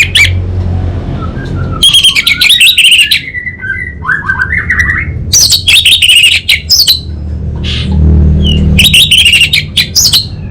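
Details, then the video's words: Anis bata, the orange-headed thrush, singing vigorously in North Bali, Indonesia: dense clusters of sharp chirps and rattles mixed with lower slurred whistled phrases, in several bursts with short gaps, over a background hum. "ANIS BATA Berkicau Gacor Membuat Burung Cepat Tanggap dan Respon"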